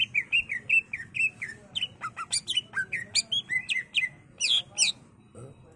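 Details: Greater green leafbird singing excitedly as a training master and lure: dense, fast run of whistled slurs, sharp chips and bright downward notes, nearly continuous, over a steady low background hum.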